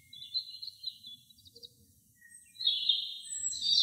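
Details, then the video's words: An American robin sings in a forest, giving short, high warbled phrases, then a longer, brighter, busier burst, over a faint low rumble. "AMERICAN ROBIN SINGING"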